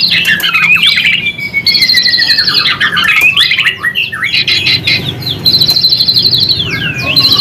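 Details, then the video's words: White-rumped shama in full song, used as a lure for other shamas: long gliding whistles, tumbling note runs, and recurring high rattling trills, interspersed with swooping slurred phrases against a soft low hum. "MURAI BATU GACOR Ampuh buat pancingan"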